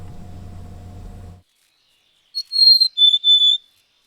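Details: A Mountain Chickadee in the Sierra, California, sings a clear whistled song: a high note, then two slightly lower held notes. A low hum comes first, then silence.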